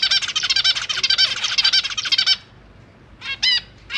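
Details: Young zebra finches, fed by both parents in a large cage, recorded 25 January 2023 on a GoPro Hero 8; an intense rapid buzzing string of begging notes lasts over two seconds, then a few separate nasal calls.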